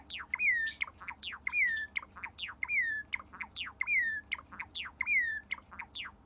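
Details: Pet Java sparrow at home, heard without background music: a rhythmic, repeating phrase of sharp high clicks and chips, then a slurred down-sweeping whistle, cycling roughly once per second against a quiet low hum.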